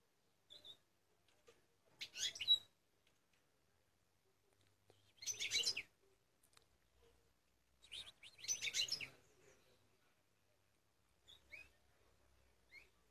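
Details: An eight-month-old European goldfinch sings three short, bright, jangling twitters a few seconds apart, with faint thin notes between them and a quiet background.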